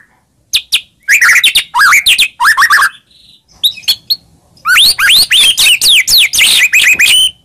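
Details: White-rumped shama singing to provoke a reply: quick slurred whistles and sweeping notes in loud phrases, a short quiet gap, then a long rich run of varied whistling.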